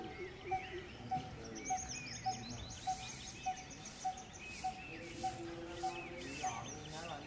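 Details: Coppersmith barbet in an urban Indian neighbourhood gives its continuous, metronomic, low hollow 'tuk' about every half second, over background chatter from other birds and a busy ambient hum.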